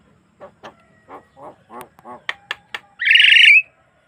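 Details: Singing Javan myna, a clean natural recording meant to prompt rival mynas: a run of short nasal notes growing louder and sharper, ending in a long harsh, buzzy screech.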